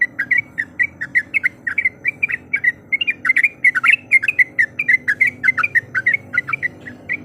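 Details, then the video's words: Female yellow-vented bulbul in breeding condition calling to a male, used to provoke rival birds: a rapid, continuous stream of short bubbly whistled notes, about four per second, over a steady low hum. "Suara Panggilan Trucuk Gacor Mencari Lawan Auto Emosi"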